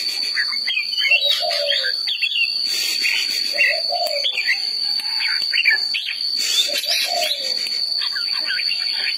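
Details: Red-whiskered bulbul singing: a low, slurred, descending whistle repeats about every two and a half seconds, mixed with quick, bright, chirpy warbled notes higher up. A steady, thin, high-pitched whine runs underneath throughout.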